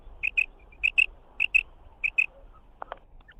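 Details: Calls of a female quail: four neat pairs of high, bright notes spaced about every 0.6 seconds, followed by a couple of soft clicks.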